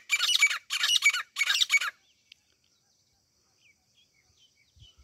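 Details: Harsh, scratchy calls of a desi grey francolin (teeter), offered as a hunting sound: three loud grating bursts about half a second apart, then near silence with faint distant bird chirps.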